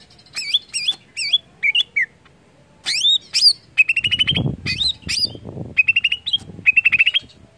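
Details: Greater green leafbird song meant to stimulate other leafbirds to sing: looping whistled notes, rising slurs and quick trilled runs of chirps, varied and energetic, with some low background noise midway.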